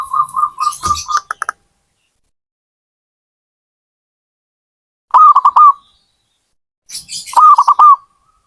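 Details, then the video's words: Zebra dove song: a run of quick, even mid-pitched coos opens the recording, then two stuttering rolled phrases break a long silence, each phrase about a second long with sharp clicky edges. "Suara burung perkutut"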